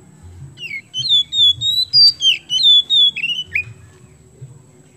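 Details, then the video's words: Kemben-type Oriental magpie-robin in full song, used to stimulate other birds; a run of clear, loud whistled phrases, rising and falling, repeated in quick succession for about three seconds. "KACER KEMBEN GACOR MAKSIMAL UNTUK PANCINGAN"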